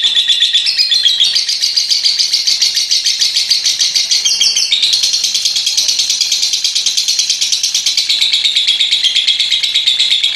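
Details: Nonstop high, grating chatter from a pied lovebird in ngekek style, with fast evenly pulsed notes and slight rises and falls in pitch, from a chattering bout of almost a minute.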